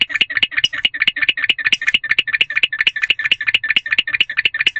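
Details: Male barn owl calling from an owl nest box at around 4:00 am on 20 February 2023, while the female stays in another box after mating. Rapid, steady train of sharp, raspy chirping pulses, many per second, with faint low hum behind.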